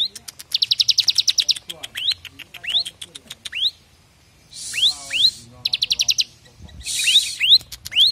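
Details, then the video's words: Fairly active bar-winged prinia giving its 'brem AK47' rapid-fire song, recorded to train other birds. Fast high note bursts alternate with repeated upswept whistles, and two brief hissing noise bursts occur among the phrases. "Ciblek semi gacor, brem Ak47, baik buat masteran."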